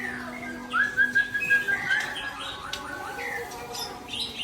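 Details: Quick series of short bright whistles from a white-rumped shama (Murai Aceh), followed by a couple of separate rising whistles and faint clicks.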